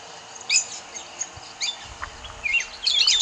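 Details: Rosy-faced lovebirds, probably birds escaped from aviaries, feeding in trees at Kyalami, Midrand, Johannesburg: scattered sharp, high squeaky chirps from several birds, busier near the end, over a steady low background hum.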